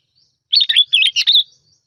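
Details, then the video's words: Sooty-headed bulbul (bông lau) lure song: a single brisk, gurgling phrase of clipped notes and short rolling whistles, about one second long, with no other sounds. "Tiếng Chim Bông Lau Mồi"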